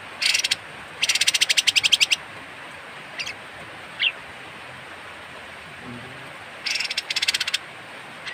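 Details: Kapas tembak bird making its rough, unusual call, recorded as tutoring material for songbirds: brief and longer rasping pulsed bursts, separated by short isolated chips, with a final double burst near the end and steady hiss beneath.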